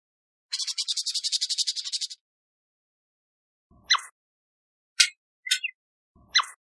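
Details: Canada jay producing a harsh rattling chatter of rapid buzzy pulses for over a second and a half, followed by a few sharp, abrupt single calls spaced irregularly.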